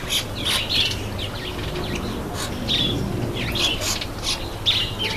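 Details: Red-headed amadina, the red-headed finch, during a bath; scattered high chirps and squeaks every second or so, with splashing water and flapping between them.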